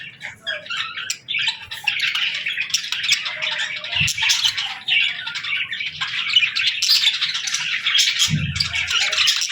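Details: Parakeets chirping in the morning, an unbroken dense chatter of rapid squeaky warbles and chirps from several birds, with two brief low knocks in the background.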